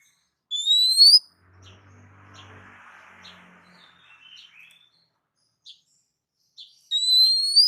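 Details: Oriental magpie-robin (kacer) masteran recording used to make other birds respond: a rising whistle, then quiet chips and a faint low rustle, then a second rising whistle about six seconds later.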